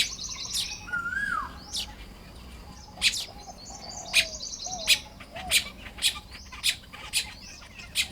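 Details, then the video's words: Morning chatter from a Baya weaver at work on its nest in Lopburi province, Thailand, early May 2026: quick high chips come nearly once a second, with a falling whistle near the start. "เสียงนกกระจาบทำรัง ยามเช้า"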